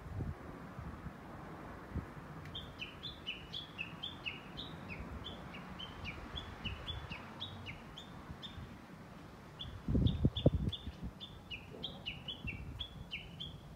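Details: Japanese bush warbler recorded 11.3.2020 delivering a long, fast sequence of short whistled notes, roughly two per second, with uneven rhythm and slight pitch steps. A burst of low rumbling thuds interrupts midway.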